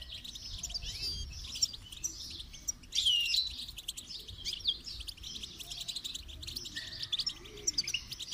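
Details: Goldfinch song played to train birds: dense high twittering with sharp chirps, a louder flourish partway through, and a short whistled note near the end.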